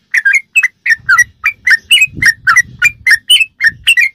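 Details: Sooty-headed bulbul song used as a model for caged birds, a lively string of sweet slurred whistles at about two or three per second, with soft low thumps in the background.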